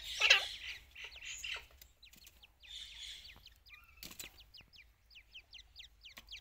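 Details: Grey francolin during chick season: a harsh rustling burst, then a quick run of thin, high, down-slurred chirps, about three or four a second.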